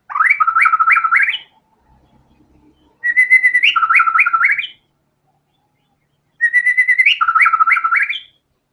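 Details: White-rumped shama singing vigorously, showing off its full repertoire of learned filler material: three loud whistled phrases about three seconds apart, each a run of stepped, rising-and-falling notes that ends on a higher flourish, with near silence between.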